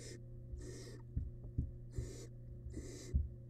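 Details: Wild barn owl chick in a nest box swallowing part of a large rabbit. Four harsh hissing bursts repeat every second or so, broken by dull knocks and tapping sounds, with a steady hum beneath.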